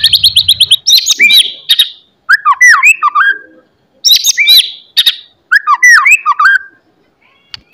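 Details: White-rumped shama song at dawn, used to keep caged birds singing and aggressive: a fast rattling trill, then repeated phrases of sharp high notes and looping slurred whistles, each phrase separated by short pauses.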